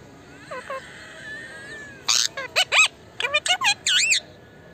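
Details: Talking Indian ringneck parakeet kept as a pet: soft whistled notes, then a loud run of clipped, buzzy, speech-like syllables in quick bursts with sharp rising and falling inflections.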